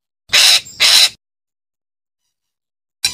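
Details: A parakeet utters two raspy, strident screeches back to back, falls silent for nearly two seconds, then starts another harsh call.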